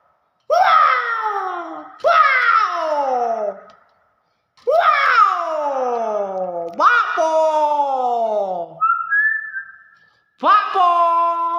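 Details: Common hill myna kept indoors, talking nonstop in mimicked human speech: loud harmonic drawn-out syllables with falling tones in bursts of one to three seconds, one short level whistle near the end, and a person speaking to it.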